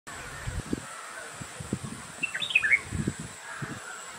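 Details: White-rumped munia foraging: a brief cluster of short, high chirps near the middle, set among low dull thuds and a steady background hiss.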